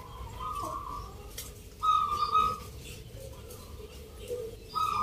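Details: Local zebra doves sing at a November rhythm-song contest in Yogyakarta, Indonesia. Several separate bursts of trilled cooing come from more than one bird, with quieter passages between. Soft background chatter and faint bird chirps can also be heard.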